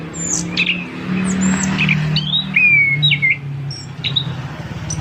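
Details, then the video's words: Long song of an Orange-headed thrush (punglor kembang) offered for sale: scattered clear whistles and short downslurred notes, spaced irregularly, over a steady low droning hum. "Burung Punglor Kembang kicau panjang"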